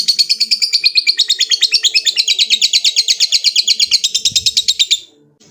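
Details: Lovebird giving a long ngekek trill to call a rival: a fast, even series of high chattering notes, about three per second, held for five seconds and then stopping abruptly.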